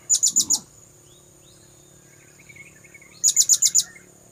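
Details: Blue-crowned hanging parrot lure call: two quick bursts of four to five piercing, very high notes, nearly three seconds apart, with soft twittering from other birds in between.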